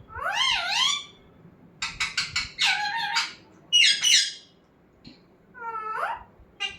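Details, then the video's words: Talking pet parrot indoors: a run of harmonic, wavering squawked syllables, then rapid clipped notes, a rising-falling whistled phrase and a final upward slur, in a quiet small room. "Talking parrot"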